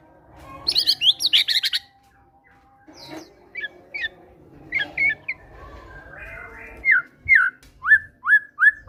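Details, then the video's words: White-rumped shama song played to prompt a caged bird to sing, mixing mimicked notes: a burst of rapid high chattering, then a low steady tone, scattered sharp whistles, and a closing series of repeated downslurred whistles. "PANCINGAN MURAI BATU FIGHTER GACOR BONGKAR MATERI GELATIK BATU"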